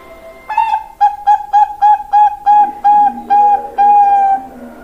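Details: Pancingan lure song of a young Bangkok zebra dove: a single clipped note, then a chain of about ten even, clear coos ending in a prolonged note. Lower wavering tones rise underneath toward the end.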